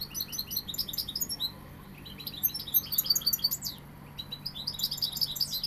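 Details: European goldfinch of the Sevillian type singing: rapid high twittering phrases of tinkling notes and short buzzy trills, broken by a brief pause midway, over a steady low hum.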